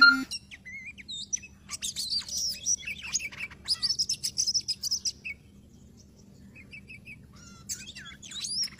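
Oriental magpie-robin singing a varied run of clear whistles mixed with scratchy, chattering phrases, in bursts with short pauses, over a faint low hum.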